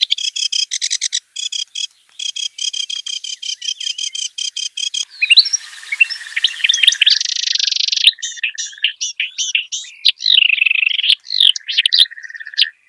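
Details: Wild kerak basi song: stuttering, metallic chatter repeated in bursts, then a loud noisy hissing passage and varied whistled slurs and squeaky rising notes.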